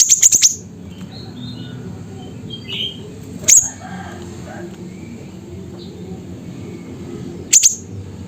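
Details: Siri-siri from Mutiara, Pidie, Aceh, Indonesia: it opens with a fast run of four shrill high chips, then single piercing notes follow about every four seconds. Faint bird notes and a low hum sit in the background.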